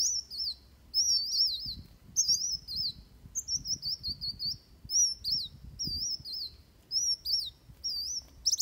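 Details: Van Hasselt's sunbird fighting song used to train birds: high looping whistled phrases repeated at a steady rhythm, with soft low rustling or fluttering noises in the background.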